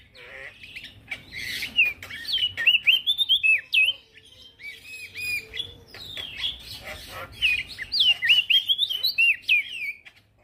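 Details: Actively singing male prinia, a training recording for crested white-eyes: clusters of quick, high, twisting whistled notes repeated through the clip, with faint background hiss.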